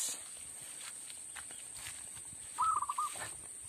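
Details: Lure call of a zebra dove played for trapping: a single brief rolling, trilled coo phrase near the end, preceded by quiet rustling and a constant high hiss.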